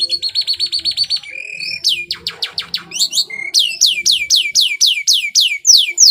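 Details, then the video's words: Canary singing a lively, richly varied song in the prized 'cengkok mewah' style, kept as a long master recording for training other birds: rapid buzzy trills, a short low whistle, then bright descending sweeps repeated about four times a second. "Suara burung kenari GACOR Cengkok Mewah durasi panjang"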